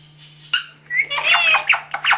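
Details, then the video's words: Parrots vocalizing: after a sharp click, a series of short, harsh, squawky bursts with rich harmonic overtones, rising and falling rapidly, over a faint low hum. "Talking Parrots"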